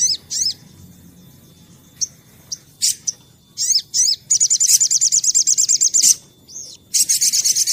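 A sunbird sings a high, thin song of quick sweeping notes and fast buzzy trills, with bursts repeated several times a second over a quiet background.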